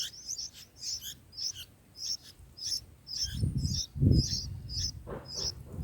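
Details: Bulbul chicks in a nest being fed, day four; rapid run of high squeaky chirps nearly twice a second, with louder low thumping and rustling from the nest midway.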